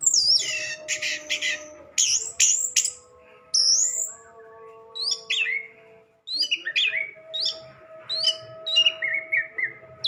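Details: Orange-headed thrush singing a fast, scratchy medley: dense high rattling trills at the start, then separate sharp downward-slurred whistles and chirps spaced about half a second apart, with a faint tonal hum behind.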